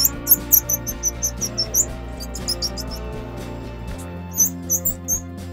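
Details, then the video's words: Grey-cheeked fulvetta chicks being fed give high, thin chips, roughly two a second, that fade out and then resume over steady background music. "Grey cheeked Fulvetta FEEDING CHICKS"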